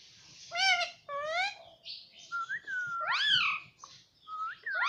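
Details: Indian ringneck parakeet kept as a pet, talking indoors: squawky repeated syllables, then smooth level whistled tones that dip and rise, and a final loud arched word over faint background rumble.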